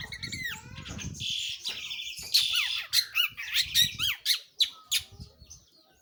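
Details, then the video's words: Long-tailed shrike singing actively, opening with slurred whistles over low rumbling noise, then loud harsh buzzy notes and sharp downward-sweeping calls given about twice a second. "burung pentet/cendet gacor"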